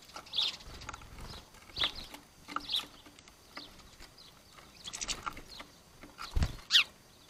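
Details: Sparrows sorting out who is boss, giving brief high chirps every second or so, one especially sharp near the end, with occasional low thumps and quiet outdoor background.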